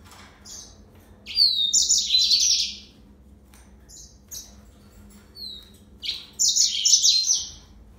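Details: Yellow-fronted canary (Serinus mozambicus) singing two bursts of rapid, high-pitched warbling twitter, each lasting over a second, separated by several seconds of near silence with faint chirps.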